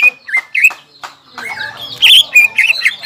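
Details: Caged greater green leafbird giving lively varied song to provoke stressed, silent leafbirds: scattered whistled notes and chips, then a louder run of bright, jumbled phrases at the end.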